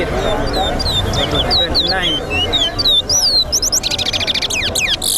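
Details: Towa-towa seed finch in a singing race competition at a bird ground: a run of quick whistled, upslurred and downslurred notes, ending in rapid buzzy trills, with a crowd talking and background music throughout.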